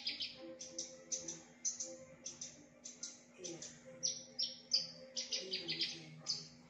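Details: A Javan bush lark copies other birds, including canary, prinia and bulbul, in a loud varied song: quick bursts of high chirps and twittering clusters, some sharply pitched, against a low steady hum.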